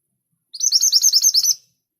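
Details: Scarlet minivet, known as mantenan gunung, singing an energetic rapid series of about ten evenly spaced, thin, high chirping notes over one second, with no other sounds.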